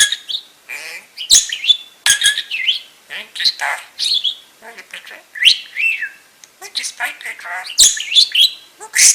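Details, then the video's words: Pet budgerigar perched on its owner's shoulder, talking non-stop while she sorts tumbled gemstones indoors; a rapid, chattering warble of squeaky chirps, short whistles and clicks in quick bursts with brief pauses. "Bird Talks While Mum sort out Gemstones"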